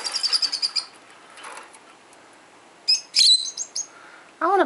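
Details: Indoor peach-faced lovebird, aged 12, answering other lovebirds; a fast high twittering run, then a sharp loud squeak and short chirps, with a person's voice starting at the end.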